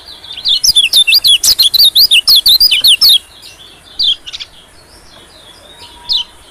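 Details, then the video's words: White-eye lure sound used to draw in small birds, opening with a fast run of loud high zigzag chirps for about three seconds, followed by quieter scattered single notes. "suara PIKAT PLECI #bagus untuk pikat burung2 keci #terutama burung KECIAL/PLECI"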